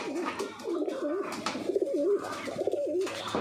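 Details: Pigeons coming to their keeper on his morning arrival, unbidden; loud, throaty coos with a rapid wavering warble, phrases following one another closely, plus a few soft knocks.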